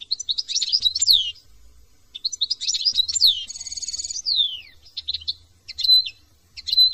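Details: Song of a European goldfinch from France: fast tinkling twitters, a dry buzzy trill sliding down at the end of one run, then short clipped chirps and sharp flourishes after brief gaps.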